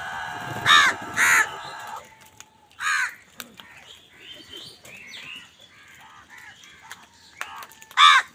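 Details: Angry crow among wild birds fighting over food: two harsh caws in quick succession, then another caw and a final one, with varied chirps and twittering of other birds in between.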